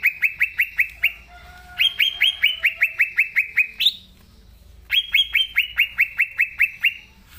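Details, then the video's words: Green leafbird singing vigorously, a natural-voice recording meant to draw young leafbirds into song. Repeated runs of fast, descending whistles, one ending in a sharp rising note, divided by short quiet spells. "Cucak Ijo Gacor Suara Asli Cocok Buat Pancingan Cucak Ijo Yang Belom Mopeng & Trotol"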